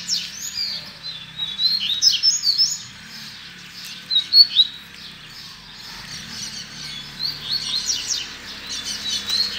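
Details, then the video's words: High, chattering tui tui zel zel phrases from a Double-collared seedeater: clusters of quick whistled slurs come in separate bursts between quieter gaps, over a steady low background hum. "Coleiro Tui Tui Zel Zel Lindo Só o Luxo"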